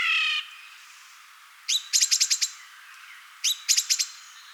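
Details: Song thrush, a woodland species, singing bright, high phrases, each a quick run of the same sharp note repeated four or five times, with the next phrase coming about two seconds later.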